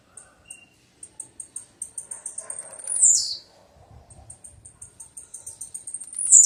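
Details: Blue-black grassquit giving a run of short, high, evenly spaced ticks, broken twice by a louder buzzy note that sweeps sharply downward, over faint low rumbling in the background.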